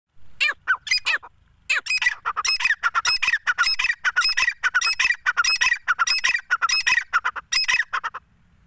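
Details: A female grey francolin gives harsh, squawking calls: a short burst, a brief pause, then a fast run of grating notes lasting about six seconds.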